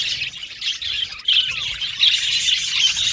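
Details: Aviary of male violet budgerigars chattering, with bursts of bright chirps and squawks over a constant twittering background, one clear descending whistle midway.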